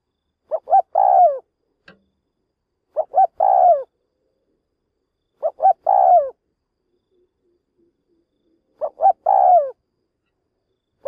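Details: Spotted dove kept as a lure for trapping wild doves, calling steadily: four phrases roughly every two and a half seconds, each two short coos and a longer falling coo, in quiet surroundings.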